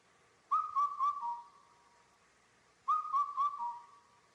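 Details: An Indian cuckoo in a high mountain forest in Korea, during the honey buzzard breeding season, gives its four-note whistled phrase, the last note dropping lower, twice about two seconds apart in quiet forest.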